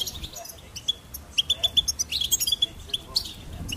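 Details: Goldfinch singing: soft opening chirps, then a series of crisp, evenly spaced whistled notes and quick twitters, loudest in the middle, against quiet background noise.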